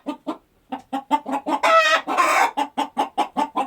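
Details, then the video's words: Farm chickens clucking as they go about the day: a steady run of short, low clucks about every fifth of a second, interrupted in the middle by a drawn-out, rising squawk. "Chicken Clucking Sound Effect"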